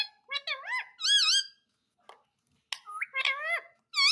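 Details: Pet talking parrot imitating human words, said to call mummy and papa and ask for roti; short bursts of wavering, harmonic-rich nasal syllables rising and falling, in two groups separated by a pause of about a second.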